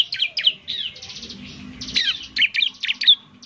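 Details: Bar-winged prinia lure song with irregular high chirps and a buzzy rattling trill in the middle, against a low background hum.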